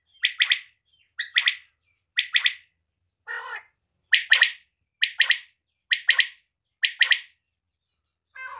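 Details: Female quail giving sharp, clipped three-note calls again and again, about once a second, broken by one harsher, lower squawk. No other sounds are heard.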